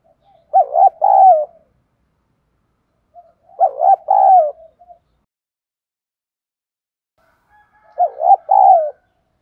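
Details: Spotted dove in the 'thúc' fighting style meant to stir up wild doves, cooing three low two-part phrases about three and a half seconds apart, each a quavering note followed by a longer falling one, in quiet surroundings.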